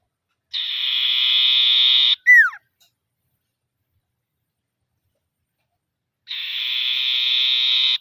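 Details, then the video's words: Common iora calling rivals: a sustained, even buzzy trill lasting almost two seconds, then a sharp, quickly falling whistle, and after a silent gap another long buzzing trill. "Suara Burung Sirtu/Cipoh Gacor Manggil Lawan"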